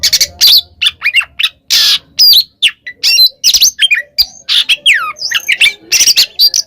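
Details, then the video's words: Oriental magpie-robin calling a rival in the kacer kembar ngeplong style: loud harsh squawks alternate with swooping and descending whistles and rapid chips, packed closely together. "suara burung Kacer KEMBAR NGEPLONG memanggil lawan"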